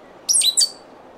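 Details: Stitchbird from New Zealand calling: two quick, very high, sharp chirps in close succession, clean and loud against a quiet background.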